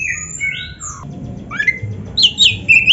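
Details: Caged white-rumped shama (kacer) in a training recording, giving long sliding whistles followed by a sharp upward slur and then quick warbled, buzzy notes, over a faint low hum.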